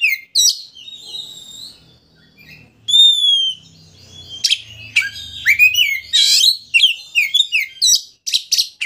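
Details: Oriental magpie-robin song used to provoke a rival into opening its tail: varied loud whistles, high slurred notes and harsh buzzy bursts delivered in rapid, irregular phrases with brief pauses.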